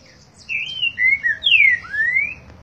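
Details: Green-winged saltator, boi song style: a loud whistled phrase of several slurred notes, a level whistle, two shorter lower ones, a bright descending slur and a long rising whistle at the end.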